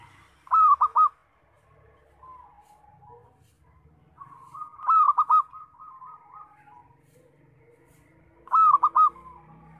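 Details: Loud local zebra dove song, used as a lure for trapping: three phrases of rapid, stuttering, rolling coos, each about half a second long and spaced roughly four seconds apart, with soft whistles from other birds between them.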